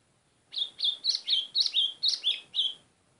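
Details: White-throated seedeater singing a run of nine bright, high slurred whistled notes, delivered briskly at roughly two per second, each note bending downward, over a quiet background.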